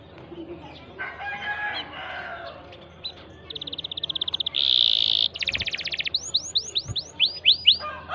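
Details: Canary song for prompting a silent canary to sing. Soft murmured sounds give way to a rising buzzy roll, a dense rattling trill and a series of high downslurred notes.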